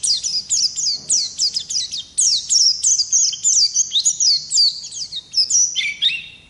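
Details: Long-duration 'ngerol' song from a lively ngalas Oriental white-eye, recorded as a tutor track: rapid run of sharp, high downslurred notes, about three per second, ending in lower descending twitters.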